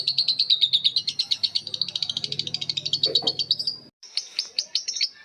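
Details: Long ngekek chatter from lovebirds answering one another: a fast rattling run of shrill chips lasting four seconds, a short pause, then spaced sharp squeaks.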